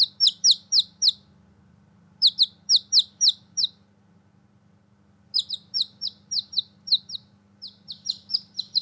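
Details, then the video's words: Several bursts of shrill descending peeps from newborn chicks playing outside, each run of four to six notes separated by short quiet gaps, over a soft constant low drone. "Newborn Baby Chicks Chirping Sound and Playing out side"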